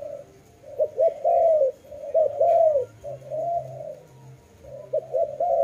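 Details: Dove cooing closely: clustered short notes running into long, swelling, arched coos, given in overlapping runs with a low hum in the background.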